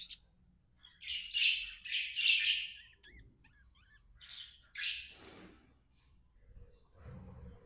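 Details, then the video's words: Happy budgie chirping: loud, harsh high chirps in a rhythmic run, then quieter scattered notes and a short noisy burst. "Happy budgie chirping sounds"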